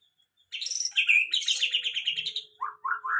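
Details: White-rumped shama singing after its moult: a high, fast chattering phrase gives way to a quiet pause, then three rising whistled notes climbing one after another.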